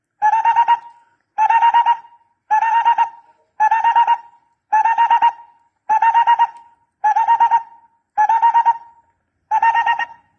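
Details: Barbet, recorded for use in decoy trapping, giving bursts of quick hollow pulsed notes that end in a short trailing tone. Each burst comes about every 1.2 seconds, with silence between and no other sounds.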